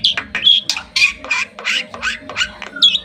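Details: Bali myna on its owner's hand in Bali giving harsh, scratchy squawks mixed with short clear whistles, repeated in bursts of roughly two per second.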